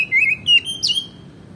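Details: Oriental magpie-robin in full song, meant to stir other magpie-robins into singing: a brief, loud phrase of high whistled notes with quick slurred inflections, followed by a sharp buzzy burst and a fading whistle.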